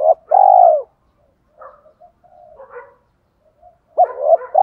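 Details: Spotted dove with a thổ-đồng mixed voice, cooing to stir decoy birds. A loud, drawn-out low coo opens, then soft broken murmurs and a quiet gap, and a double coo rises again at the end.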